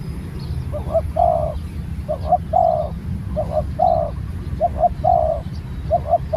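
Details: Spotted dove, a new bird on a training outing, repeating its three-part coo: a soft double note followed by a longer purring note, about once every second and a bit. Steady low background rumble.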